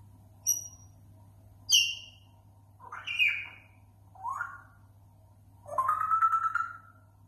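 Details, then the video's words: Pet grey parrot imitating various sounds: a series of five separate notes, from short high whistles to a rising slur and a wavering, warbled whistle, over a steady low electrical hum indoors. "Жако издает прикольные звуки"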